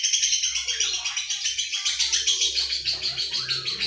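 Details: Lovebird delivering an isian Cililin Jenggot Mesin Jahit style song: an unbroken, rapid, high, machine-like chatter with steady pulsing throughout. A faint low hum runs underneath.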